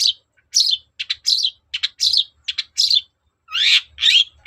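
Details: Long-tailed shrike singing to stir another bird into answering: harsh rasping notes alternating with quick clicking double chips, about eighty phrases a minute in an uneven rhythm, fairly high and scratchy.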